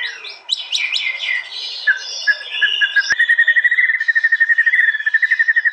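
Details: Murai batu in a song contest in East Java, recorded on a Realme C11 phone, singing its 'tembakan'. Jumbled high whistles and chatter, then a single sharp click, then a fast steady trill of repeated notes.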